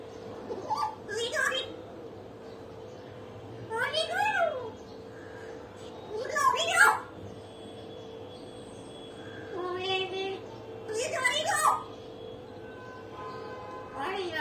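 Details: Talking pet common hill myna that also laughs and cries: several separated bursts of human-like speech phrases, some gliding upward, with pauses between them and a faint steady hum.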